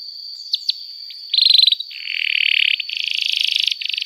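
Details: Canary singing with a few sharp chip notes, then harsh buzzy rolled trills in long bursts, over a steady high tone.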